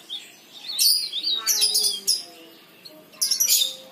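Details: Leaf warbler singing vigorously, used as a lure to prompt other leaf warblers to sing; bursts of high, thin twittering and chirps at about 0.8, 1.5–2.1 and 3.2–3.7 seconds, with quiet gaps between.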